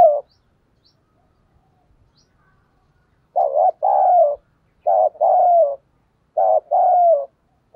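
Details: Cooing decoy spotted dove meant to lure wild birds, thổ sấm voice: a rapid series of low, rolling two-part coos repeated every second or so after a quiet opening.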